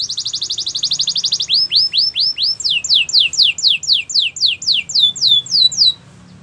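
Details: Gloster canary delivering a rapid high trill, then a slower run of falling whistled notes repeated about three per second, each slightly higher, before stopping.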